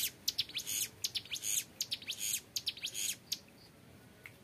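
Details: Long ngebren phrases from a young, actively singing hill prinia, intended as tutor material: quick high buzzy bursts for about three and a half seconds, then the song stops, leaving quiet hiss.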